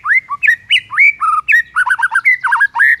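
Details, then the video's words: Morning song of a white-rumped shama, meant to stir rival birds to anger: loud, varied whistled phrases packed tightly, with swooping rising notes, short dropping slurs and quick chattering bits, nearly continuous for three seconds. "HITUNGAN DETIK DI PAGI HARI BIKIN MURAI LAWAN AUTO NAIK EMOSI SEKETIKA"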